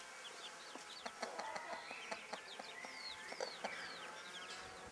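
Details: Broody bantam hen with her chicks: short soft clucks in an uneven series under high, wavering chick peeps and a few longer slurred cheeps.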